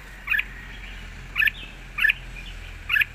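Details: Red-whiskered bulbul, wild-style song with a light voice: four short, bright, slurred notes spaced at regular intervals of about half a second to one second, over a quiet background.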